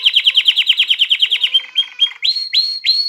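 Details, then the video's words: Domestic canary song for exciting hens to breed and teaching chicks: a quick run of repeated high chirps, then a softer rattling passage and three rising upslurred whistles. "تغريد كناري نار لتهييج الإناث على التزاوج وتحفيز الفراخ على التغريد"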